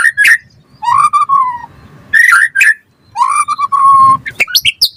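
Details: White-rumped shama song used to prompt and tutor caged birds: low, clear, slurred whistles, long and gently falling, alternating with short, sharp, bright bursts, ending in quick high flicking notes.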